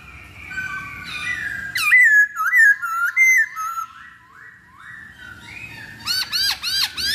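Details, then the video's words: Masked laughingthrush used as a lure to draw out song: a run of clear whistled notes that dip and rise, softer sliding notes, then a fast burst of five sharp hooked whistles. "Pancingan Poksay Hongkong Paling Ampuh"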